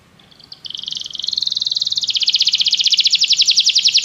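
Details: Canary song for training a canary to sing: a rising, swelling trill starting softly and growing louder, its pulses becoming clearer and slightly higher toward the end, over faint background hiss.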